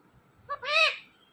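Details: Talking parrot giving a short two-part word: a brief nasal syllable, then a longer, louder, rich harmonic syllable that rises and falls, with a quiet room behind it.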